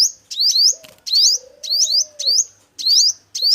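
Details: Male five-coloured sunbird used in trapping, sounding loud doubled high upslurred chirps in quick succession, accompanied by a long low cooing note in the background.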